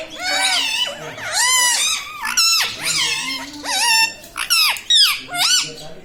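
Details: Talking pet parrot mimicking words; a continuous run of rich, harmonic, voice-like syllables with swooping pitch, several connected phrases over six seconds in a small room.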